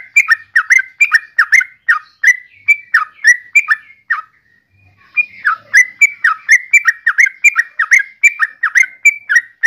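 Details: Yellow-vented bulbul pouring out a long chattering series of quick liquid notes, briefly falling silent midway before resuming the same bubbly rhythm.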